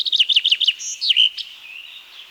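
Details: Common Chaffinch singing among forest birds of Wielkopolska National Park, Poland: a run of five clear, downslurred whistled notes, a brief high note, then a quick ending flourish, after which only a faint background hiss remains.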